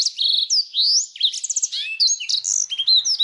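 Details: Canary singing energetically, used as a tutor for competition songbirds such as the white-rumped shama, with konin and blackthroat phrases: a fast, varied run of high whistles, rapid trills, upward and downward sweeps, and chattering notes without pause.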